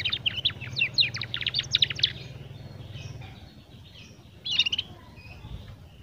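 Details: Young canary learning its song, with a fast, rattling trill of sharp high notes lasting about two seconds, a quiet gap, then a brief burst of twittering, over low background hum.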